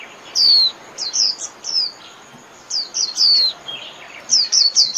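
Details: Japanese white-eye calling to gather its flock: scattered high, slurred descending chirps, single and in short clusters, over a light background hiss and a faint steady high tone.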